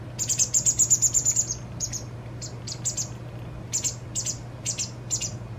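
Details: White wagtail fledgling, fed by a parent for one of its last times before leaving two days later. It opens with a rapid, pulsing high trill of about ten notes, then gives spaced single and doubled chirps over a low hum.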